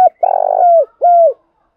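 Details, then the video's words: Spotted dove cooing used to train trapping decoys: a long vibrating purred coo sliding into a smooth falling tail, then a single clear downward-curving coo. "tiếng cu gáy thúc bổi"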